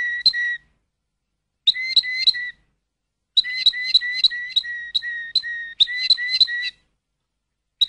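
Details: Malinois canary delivering clustered phrases of fast, clear whistled notes with clicky attacks, separated by pauses of about a second.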